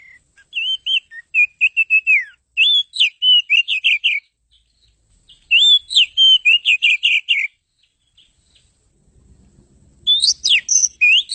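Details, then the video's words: Oriental magpie-robin (kacer) singing a melodious chattering song: rapid bursts of clear whistled and slurred notes, some rising and falling, delivered in phrases of about two seconds separated by short pauses, with faint low rumble near the end. "kicau burung kacer ocehan sangat merdu"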